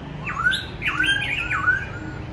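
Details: Caged Black-throated Laughingthrush singing alone on a cold day, giving three squeaky, swooping phrases, each dipping low and then climbing steeply, about half a second apart.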